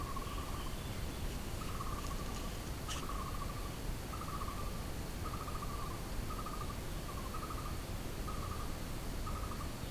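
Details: Blue-throated barbet in the jungle, delivering a steady series of rolling, burry trilled phrases, each under a second long and repeated roughly every second, with a faint higher-pitched sound early on and continuous background hiss.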